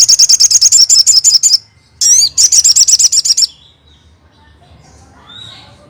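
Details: Crested jay, a recording meant to draw a response from other crested jays: a fast high rattle of clipped notes, a short pause, a swooping slurred note, then a second rattle ending in quiet.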